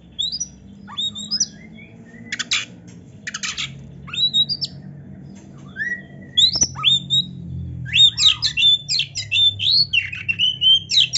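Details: Oriental magpie-robin in lively song full of varied phrases: quick chirps, upslurred whistles and scratchy bursts, sparse at first, then a dense, fast run of sweet whistled notes and trills in the last four seconds over a low background hum.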